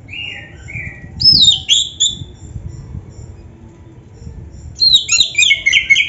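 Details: Oriental magpie-robin song used to rouse quiet caged birds: a low slurred whistle, then a burst of bright descending whistled notes, a long quiet gap, and another rapid cluster of high chirps.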